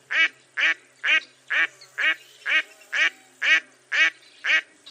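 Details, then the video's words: Mottled duck giving a steady run of ten raspy, nasal quacks, evenly spaced about twice per second, each short and clipped. "Mottled Duck Bird Sound"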